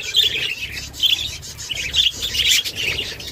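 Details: Budgerigar mother feeding her chicks, giving dense high chirps and squeaky chatter in repeated bursts about every half second, steady throughout with a faint low hum beneath.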